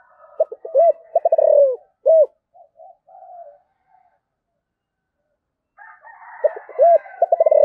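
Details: Spotted dove calling in the 'giọng thổ' voice style: a cooing phrase of short stuttering notes, a rolled trill, then a clear final coo. Softer murmuring coos follow, and the phrase begins again near the end.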